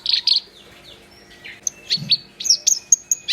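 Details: Black-browed reed warbler singing vigorously, opening with loud harsh chatter, then thin descending whistles and a string of sharp, repeated high chips.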